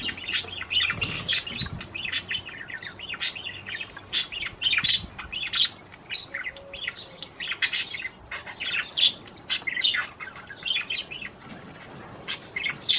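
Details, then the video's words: Mating-stimulation song of a budgerigar, a long run of chattering clicks, squeaks and short harsh notes in uneven bursts with brief pauses. "تغريد طير البادجي لتحفيز الأنثى على التزاوج"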